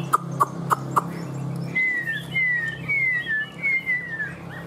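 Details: Four sharp knocking clicks open, then a tame caged Chinese hwamei gives four long clear whistles, each sliding downward, spaced about half a second apart.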